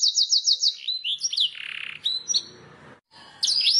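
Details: Canary master song for training: a quick series of repeated descending whistled notes, then slurred chirps and a soft buzzy passage, a short silence, and a final burst of high twitter.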